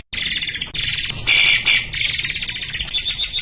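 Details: White-crowned shama song, recorded as a master for training songbirds in a dense rapid-fire style: loud, unbroken, high bright trills and buzzy bursts with barely any pause, then quick repeated ringing notes.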